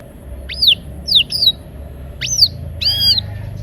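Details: Canary song used to coax silent canaries into singing: a few separate high whistled notes, some sharply rising and some falling. They come at irregular intervals, with a short harmonic buzzy note near the end.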